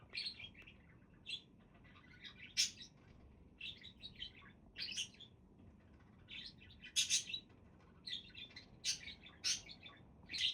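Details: Budgerigar chatter: repeated bright, scratchy chirps and short warbles in irregular bursts, several sharper clicking notes, steady soft background.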